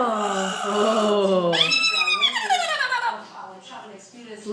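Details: A pet double yellow-headed amazon parrot gives a long, nasal, voice-like wail that slides downward, then a rising-and-falling squawky phrase, ending in quieter murmurs indoors.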